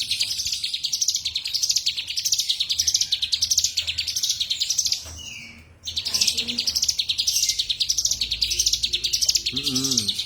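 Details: Energetic cigun song with rapid, high-pitched chirps pulsing in wavy bursts, a short gap about halfway, then the fast chirping resumes. A low rumble and a brief lower sound come near the end.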